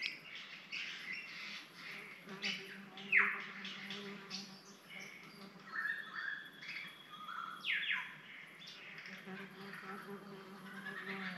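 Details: Superb lyrebird, unseen in dense bush up a hillside in summer in Cathedral Ranges State Park, Victoria, Australia, runs through a varied string of mimicked bird calls: sharp falling whistles, chirps and clear notes; a man talks quietly underneath.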